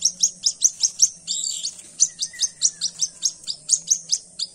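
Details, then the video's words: A young white-breasted waterhen, a chick discovered at dawn, gives sharp, high-pitched cheeps in a steady fast series, roughly three each second, over quiet background with a soft low hum. "পাখির আওয়াজ। পাখির ছানা।"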